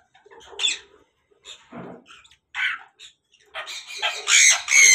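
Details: African grey parrot in a breeding setup, giving its mating call: harsh squawks and short raspy notes with gaps, ending in louder shrill whistled screeches.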